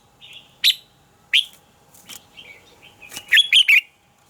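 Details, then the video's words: Red-whiskered bulbul singing its morning song in the double-note mature wild style, a training voice for other bulbuls: two separate sharp notes, soft murmured notes, then a quick loud three-note warbled flourish near the end. "Luyện giọng cho chào mào hót sáng - Hót hay nhanh lửa, chào mào hót âm kép già rừng hay tuyệt!"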